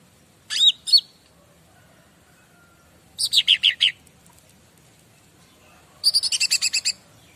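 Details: Bar-winged prinia master song meant to draw replies from other birds: three spaced phrases of quick, high-pitched ticking notes, the last phrase longest with about eight rapid units.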